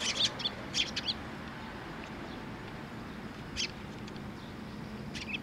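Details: Sparrows flying in to a post to be fed at a Tenmangu shrine on 27 August 2023: short, bright chirps in quick clusters near the start, then isolated single chirps, over a steady low hum.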